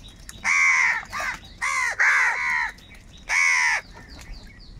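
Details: Angry crows calling for food: four loud, harsh, nasal caws, the middle two nearly run together, over faint background hiss.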